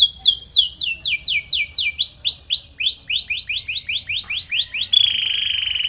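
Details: Canary, described as Belgian or Spanish Timbrado, singing a training song: rapid repeated metallic trills, sweeping phrases of fast downward notes, ending in a steady high rolling trill.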